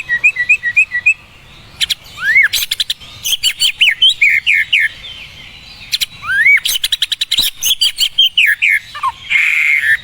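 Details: White-rumped shama in full, melodious song: swooping whistles, quick chirps and clicking notes tumbling in dense bursts, with a brief buzzy trill near the end.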